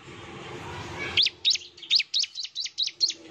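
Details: Lure song of a Bar-winged prinia meant to draw an excited reply: about nine high, sharply bent chirps repeated evenly every third of a second, after a stretch of muffled low background noise.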